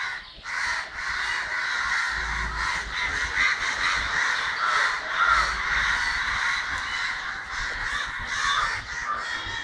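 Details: Crows calling loudly in Kerala, December 2012, harsh caws overlapping in a steady clamour from many birds.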